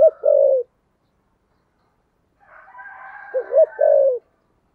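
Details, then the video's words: Spotted dove's deep 'thúc gù' coo in the 'thổ sấm' voice style: a short double note then a drawn-out coo, heard twice, separated by a pause and faint higher chattering. "cu gáy giọng thổ sấm/ cu gáy thúc gù cực đỉnh"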